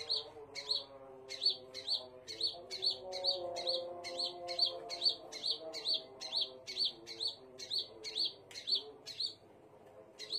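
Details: Scarlet minivet repeating bright, high, clipped notes in a long steady run, roughly two per second, ending with a short silence, with a soft low hum beneath.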